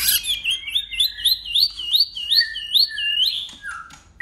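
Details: White-rumped shama in persistent dueling song, switching voices, sings a quick run of upslurred whistled notes, about two and a half per second, then drops to a few lower, softer whistles.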